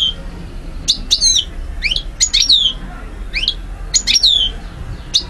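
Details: European goldfinch from Algeria, 2012, in lively song: rising and descending whistled notes and clipped chirps, grouped in bursts about every second, clear over light background noise.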